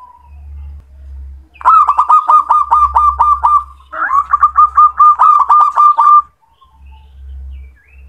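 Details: A male zebra dove calls in two loud runs of quick, staccato coos, each burst of roughly ten clipped notes held at a steady pitch, with quiet gaps and a soft low background hum.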